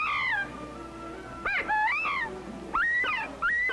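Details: Rival Northern Bobwhite cocks in spring, irritable as coveys break up, challenging one another over mates, trade clear whistled calls in short bursts, some sliding down and others swooping up, about three phrases in four seconds.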